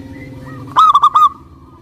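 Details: A zebra dove of a local strain gives a short, loud burst of four rapid, ringing hooked coos after a near-silent start, as a lure for other doves.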